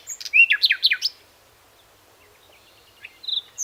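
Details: Brief song of a common nightingale (Luscinia megarhynchos): a fast string of about five loud descending notes, then near silence and a few faint soft notes.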